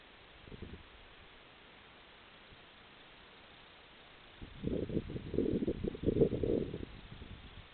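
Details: Barn owls defending their occupied nest boxes against jackdaws give a short rasping burst, then a harsh, breathy hissing run lasting about two seconds, rough and pulsing rather than tuneful.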